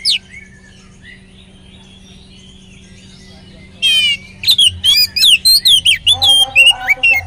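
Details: Oriental magpie-robin lure song to spur other magpie-robins into singing: nearly four seconds of quiet with soft distant notes, then a harsh rattle followed by quick, varied whistled and slurred phrases.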